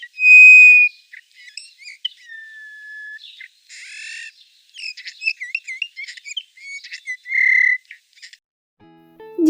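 Eurasian bullfinch song: soft, clear piping whistles, some long and level, mixed with quick creaky, twittering notes. A voice starts briefly at the very end.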